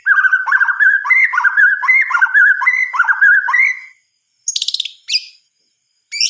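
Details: White-rumped shama singing after dark: a long run of rapid, rolling whistled notes at a steady pitch, then a pause, and two short high bursts of sharp notes with silence between.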